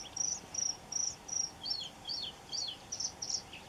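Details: In Cyprus, a red-throated pipit (Anthus cervinus) gives a quick run of thin, very high notes, about ten in under four seconds, some flat and some sharply downslurred, over a soft background hiss.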